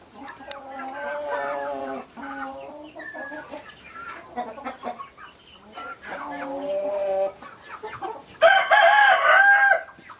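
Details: Domestic chickens clucking in a busy chorus of short harmonic calls, then one loud, drawn-out rooster crow near the end lasting over a second, bright and strained with stepped pitch.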